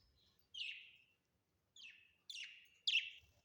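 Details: Pet budgerigars at home; four separate grating, downslurred chirps spaced about half a second to a second apart.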